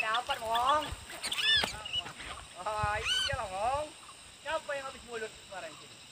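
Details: Wild sooty-headed bulbul responding aggressively to a young decoy bulbul: bubbly, rich notes rising and falling in short chattering bursts, with a few sharp high chips in between.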